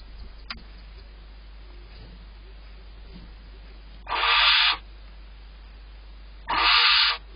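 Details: Barn owls in a nest box at dawn on April 8th, the male delivering prey and leaving quickly while the protective female eats and caches a vole; two harsh, hissing screech bursts, each under a second, about two and a half seconds apart.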